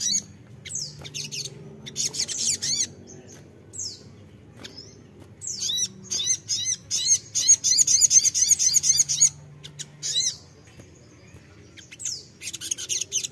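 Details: Crimson sunbird lure song meant to prompt young birds to answer. Sharp, very high chirps and downslurs come in irregular bursts, building to a fast buzzy twittering trill near the middle before it breaks into scattered high notes again.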